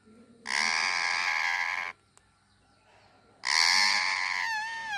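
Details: Pet ringneck parrot giving two long, loud, harsh buzzy calls about a second and a half each, separated by a quiet gap, the second ending in a wavering upward whistle.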